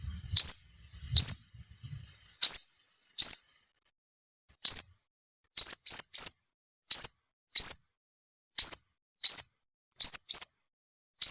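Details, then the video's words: Sunbird lure call for trapping birds: about fourteen shrill upswept notes at uneven spacing, some given in quick pairs or triplets, with a few soft low thumps at the start. "Tiếng chim hút mật mồi gọi bổi"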